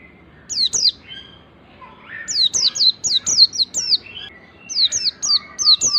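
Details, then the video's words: Oriental white-eye singing in the wild style used to lure and train other white-eyes: rapid runs of high, falling whistled notes in clusters, with a steady lower whistle and softer chirps in the background. "pleci ngalas ini paling ampuh buat pancingan segala jenis pleci"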